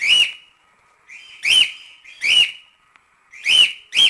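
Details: A cockatiel repeats brief, flat, slightly harsh whistles, about five notes over four seconds at uneven intervals, each ending with a faint trailing tone; no other sounds.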